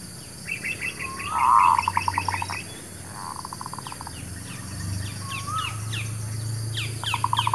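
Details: Local zebra dove song used to lure birds for trapping and for newly kept birds: a cooing note running into quick repeated pulses, twice, while other small birds chirp and trill busily above it.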